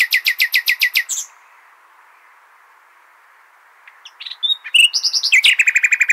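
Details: Common nightingale (Luscinia megarhynchos) song, used for tutoring goldfinch and hybrid chicks: a fast run of about ten loud repeated notes, a quiet pause, then sharp whistles and another rapid, rhythmic series of repeated phrases.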